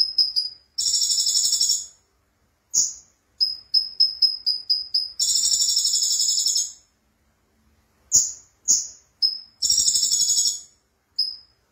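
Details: Konin, a sunbird, singing in a lively gacor style: high, bright buzzy bursts alternate with rapid runs of short piercing notes, about four per second, with brief silent gaps between phrases.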